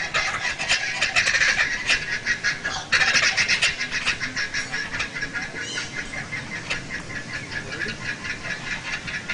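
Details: A captive female Laughing Kookaburra at a December 1998 show at Walt Disney World, answering a played recording of other kookaburras: a loud, rollicking laugh of rapid, cackling hoots that surge in bursts and trail off, over a faint room murmur.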